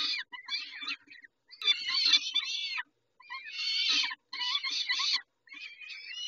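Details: Peregrine falcons at Dobra during a feeding at 11:48 on 19 May 2021: harsh, raspy screeching calls in bursts of about half a second to a second, broken by short silences, some with rising-falling whining notes.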